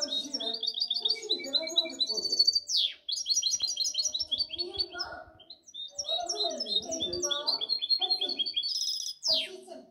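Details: Goldfinch hybrid delivering a long, varied twittering song of rapid high trills, buzzy phrases and sharp descending sweeps, broken by brief pauses, with low murmuring in the background.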